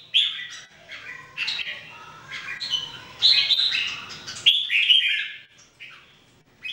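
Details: Red-whiskered Bulbuls, three birds trained to sing every day, deliver rapid chirpy, warbling notes in quick bursts, with louder fluty phrases near the middle and end.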